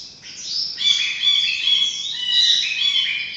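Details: Ashy bulbul, Hemixos flavala; a loud, dense jumble of high chirping and squeaky notes with short whistled and slurred phrases running almost continuously, rising and falling in intensity, against a quiet background.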